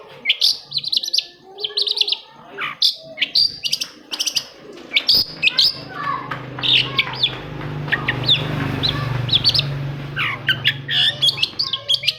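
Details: Long-tailed shrike (cendet) song for prompting quiet shrikes to sing: rapid, varied chattering phrases with sharp clicks and whistled notes, continuing steadily while a low hum rises midway.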